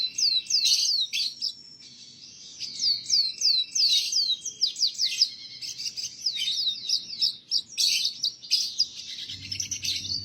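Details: Canary song aimed at training young canaries: repeated high downslurred whistles in quick series, mixed with buzzy trills and chattering notes, with a low rumble near the end.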